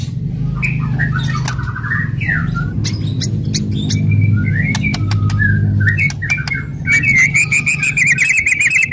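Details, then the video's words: White-rumped shama (murai batu) singing aggressively with loud rattles and sharp shot-like notes meant to provoke other shamas: warbled trills near mid-high pitch, scattered clicks, ending in a rapid buzzy repeated trill, over a steady low hum. "KRETEKAN KERAS & TEMBAKAN MURAI BATU FASTOL.//, ASLI SUKSES MERANGSANG EMOSI"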